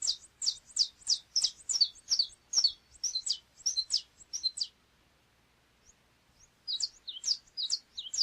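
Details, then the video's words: Saffron finch (canário chapinha) delivering rapid, bright, strongly accented high notes in a steady series, falling silent for about two seconds, then starting a fresh burst of twisting chirps. "Canto do canário chapinha"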